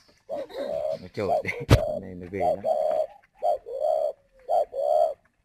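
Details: Moulting spotted dove decoy bird near Ba Vì, Hanoi, calling hard: hollow coos in short and long notes, with a man talking and a sharp click early on.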